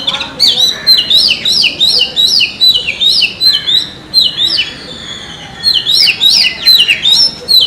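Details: Oriental magpie-robin singing in a forest: a rich, continuous run of varied whistled phrases with quick up-and-down slurs and sharp notes, repeated rapidly without long breaks, and faint background hiss.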